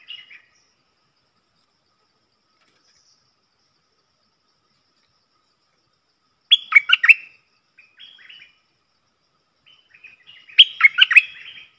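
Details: Bubbly, chattering warbled phrases from a wild Stripe-throated Bulbul that will not approach the cage, likely because of chicks in its nest; long quiet gaps separate two main bursts and a few softer notes.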